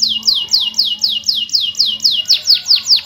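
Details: Steady canary rolling song, played to stir quiet canaries into singing: about a dozen evenly spaced falling whistled sweeps, bright and piercing, the last few dropping more steeply.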